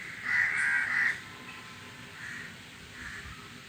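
A crow gives one long, harsh, rasping caw, then two fainter, shorter caws follow, over a steady hiss of wind.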